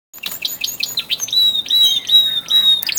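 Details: In early February, as spring nears, a male canary from a group of twelve sings with rising intensity: a rapid, high, varied song of chips and trills, ending in a long, steady whistled note near the top of its range.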